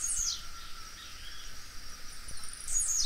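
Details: Two bright, high, downward-sweeping song bursts from a blue-black grassquit, at the start and near the end, over a steady hiss.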